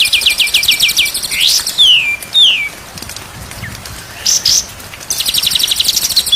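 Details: White-rumped shama singing on a day-and-night training recording: a falling series of quick notes, two pure whistles gliding down, scattered sharp calls, then dense high trilling.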